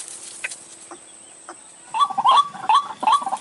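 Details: White-breasted waterhen, recorded as a lure call for trapping in the dry season, giving harsh, croaking notes in a quick series of roughly two or three a second, after a quiet start with a thin, steady high hiss.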